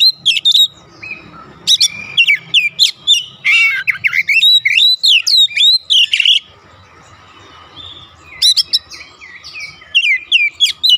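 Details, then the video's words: Oriental magpie-robin at home, song meant to make other birds respond: dense bursts of loud whistles, harsh squawky notes and slurs, broken by a quieter pause of about two seconds before singing resumes. "AUTO RESPON NGEPLONG GACOR KACER ANDA DIRUMAH"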